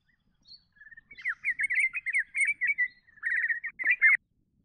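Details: Calls of a spotted bowerbird, a species of inland eastern Australian woodland: soft introductory notes followed by a long series of rasping, chattering bursts, a brief pause, then a final louder chatter.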